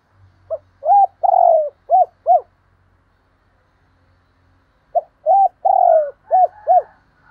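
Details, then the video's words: Decoy spotted dove cooing to urge on and call wild doves. Two phrases, each of five low notes: a short note, a rounded coo, a long drawn-out coo, then two more rounded coos, with a pause between phrases. "tiếng cu mồi thúc bổi và gáy gọi bổi mới"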